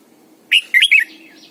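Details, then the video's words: Morning song from a decoy Red-whiskered bulbul used to coax other birds into singing, double-note wild style; a single brisk phrase of three to four liquid whistled notes, rising then dropping. "luyện chào mào mồi hót sáng cực hay, ép chào mào hót âm kép già rừng hay tuyệt!"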